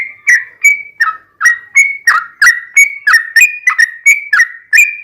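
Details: Yellow-vented bulbul, called trucukan, singing a long rolling ropel panjang song meant to coax caged birds into replying; quick liquid whistled notes, each sliding slightly, repeated about three per second without pause.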